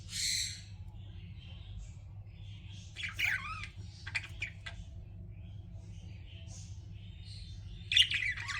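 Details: Pet budgies making quiet, rasping squawks and a few short downward chirps, spaced irregularly, with a constant low background hum.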